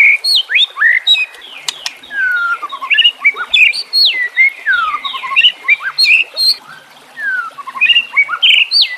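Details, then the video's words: Murai batu, the white-rumped shama, in a training recording for caged birds with trickling water behind it: loud whistled notes that slide downward, mixed with rapid chatter and squeaky high accents, delivered in bursts. "Terapi Murai Malas Bunyi Dengan Pancingan Mewah Isian Terbaik"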